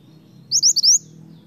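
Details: Snowy-browed flycatcher, locally called mantenan or kunir, singing vigorously as a lure for untamed birds of its kind: a quick burst of four high, thin, upslurred notes lasting about half a second over a faint low hum.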